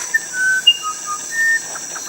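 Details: Musician wren (Cyphorhinus arada) in Brazil's Amazon basin singing pure, fluted whistles, about six clear notes jumping between pitches and spaced apart, over a steady high insect hiss.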